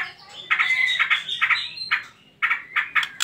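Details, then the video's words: White-rumped shama trotol lure song, played to provoke other birds into singing: squeaky warbled phrases with a long smooth whistle, then short clipped bursts after a brief pause. "PANCINGAN TROTOL MURAI BATU"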